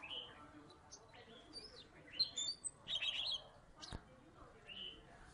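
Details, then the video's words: Salatiga Oriental magpie-robin, once a third-place contest winner, in active song: scattered high whistles, short buzzy phrases and a chattering cluster near the middle, broken by a single sharp click, with soft background murmur. "Burung kacer salatiga gacor"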